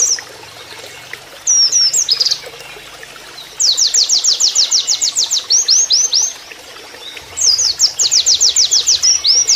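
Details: White-eye master song imitating a canary. Brief slurred notes lead into a long rattling series of high, sweeping repeated notes, a pause, then another trill burst, with a soft trickle of water behind.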